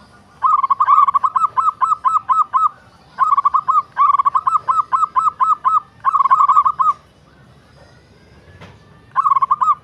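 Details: Local zebra dove song: bursts of six to ten rapid, clipped cooing notes delivered in phrases separated by short pauses of about half a second to two seconds, over a quiet background.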